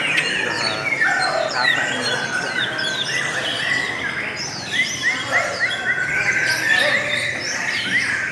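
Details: Melodious lovebird singing: continuous high chatter of quick squeaky chirps and short slurred whistles repeated several times a second, layered thickly.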